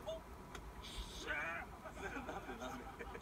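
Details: A pet parakeet talks softly in its sleep, quiet, slurred chatter, seemingly repeating 'I'm tired', with one brief brighter warble midway over a low background hum; finding: Parakeet.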